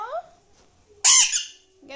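An Alexandrine parakeet gives a brief nasal, wavering voice-like note, then one loud harsh squawk, and ends on another short nasal call in a quiet room.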